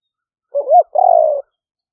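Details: Lure call of a spotted dove, lang fueang style, recorded live by phone among rice fields in the rainy season in Roi Et province, Thailand: one phrase of short wavering coos followed by a long, slightly falling, buzzy drawn-out coo.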